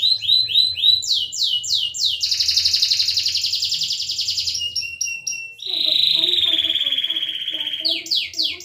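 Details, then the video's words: Singing canary, meant to prompt other canaries that have gone quiet: repeated upward-sweeping high notes, a long fast trill, clipped chatter, a drawn-out descending rolling trill and more sweeping notes at the end. "Burung kenari gacor untuk pancingan kenari macet bunyi"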